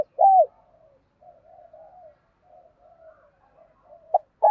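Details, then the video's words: Spotted dove decoy bird with a fine, well-structured cooing voice, used to rouse other doves into cooing: a loud bent coo note opens, soft low murmuring coos follow, then further strong notes at the end. "Chim cu gáy mồi có giọng gáy hay và bài bản, kích bổi nhanh nổi và gáy nhanh"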